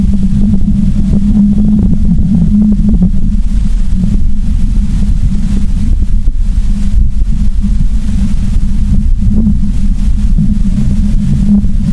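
Steady loud low rumble of wind or engine noise with no animal sounds.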